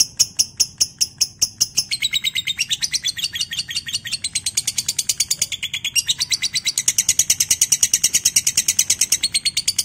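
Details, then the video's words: A lovebird delivers a long, shrill trill of rapid chirps, about three to five a second, that speeds up and grows more strident toward the end; a recording used to prompt other lovebirds to trill. "Pancingan LB (love bird) anda biar cepat ngekek"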